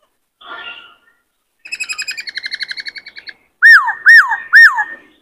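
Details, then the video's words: Many-voiced song of a white-cheeked laughingthrush, played to train wild-caught birds and rouse males: a soft rasp, a fast rattling chatter of repeated notes, then three loud arched whistles in quick succession. "Khướu bạc má hót nhiều giọng hay Luyện khướu bổi kích khướu trống căng lửa hót múa"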